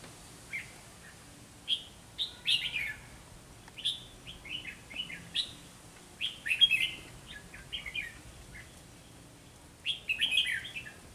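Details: Red-whiskered bulbuls during a trapping session with a caged decoy bird facing strong wild rivals, singing in competition: short bright chirpy phrases in bursts, sharp warbled notes with pauses of several seconds between groups.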